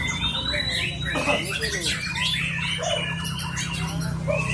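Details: White-rumped shama (murai hutan) in steady, settled form, delivering long bursts of song: varied whistled phrases, rising and falling notes and chattery squawks overlapping densely throughout, over a constant low hum and faint voices.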